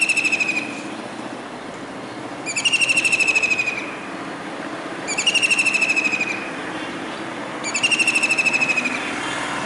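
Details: Kingfisher perched on a disc antenna atop a residential building in Surat, Gujarat, India, on a rainy July 2019 day, calling as if searching for another; four harsh, rapid rattling trills, each about a second long, recur every two to three seconds over steady hiss.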